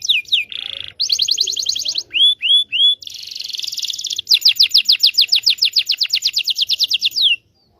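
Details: Long canary song for training young canaries, varied phrases: falling notes, a buzzy burst, three upward-curving whistles, a dense trill, then a fast rolling series of descending notes that stops abruptly.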